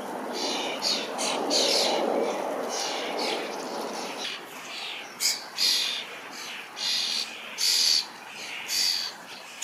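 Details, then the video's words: Young common starlings begging from a parent in a large berry bush while being fed; harsh hissing, scratchy squeals in bursts, several birds calling, over a steady rushing background noise. "Starling fledgling calls and feeding"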